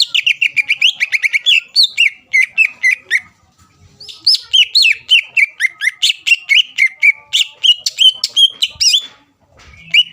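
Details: Greater green leafbird song meant to provoke rivals into replying: rapid, varied chirps and whistled slurs repeated several times a second, with a short pause near the middle and a brief gap near the end.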